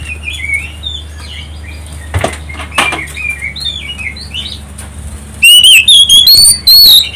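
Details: Oriental magpie-robin song used as a lure to provoke other birds into singing. Soft, scattered chirps and twitters with a few dull thumps open the recording, then loud, clipped, rich whistled phrases slide and warble through the final two seconds.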